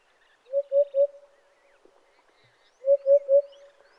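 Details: African hoopoe (Upupa africana) in Kruger Park, South Africa, giving soft, low hollow hoots in groups of three, 'hoop-hoop-hoop', with each group repeated after about two seconds.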